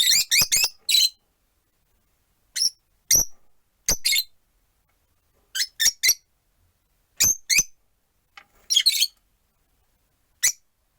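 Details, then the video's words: Pet rosy-faced lovebirds, four birds in a window-side cage with one on a perch, give about fifteen shrill, clipped chirps in loose clusters with clean gaps between. "Lovebird Chirping Sounds"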